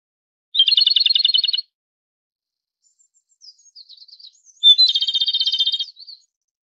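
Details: Japanese robin (Erithacus akahige) singing: two loud, rapid rattling trills about a second long, one near the start and one after a pause, with soft high twittering notes between them and a few brief notes to close.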